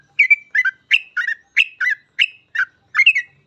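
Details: Yellow-vented bulbul, called trucukan, in gacor full ropel song used to coach other trucuk: a steady string of about nine bright, gurgled double notes, roughly three per second.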